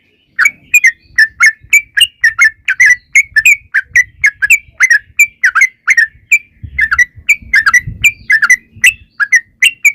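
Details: Sooty-headed bulbul singing for a lure recording that provokes other birds: long unbroken run of liquid whistled notes in pairs and triplets, slurring down, about two to three per second, with a faint low rumble near the end.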